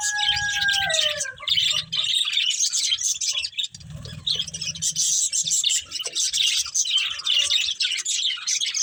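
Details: Budgerigars eating green food keep up a steady, scratchy, high chattering warble, opening with a falling whistled note; soft low thumps in the background.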